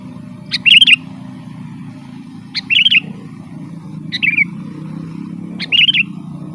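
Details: Vigorous rolling song of a sooty-headed bulbul, recorded to call in wild birds. Four loud bubbly phrases come every second and a half, each a sharp high onset then a fast liquid chatter, above a steady low rumbling hum.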